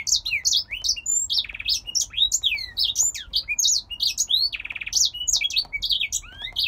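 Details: Caged male grey singer finch from Poland in continuous song: a long, lively run of high chirps, swooping downslurred whistles and two brief buzzy trills, delivered quickly with little break against a quiet low background hum.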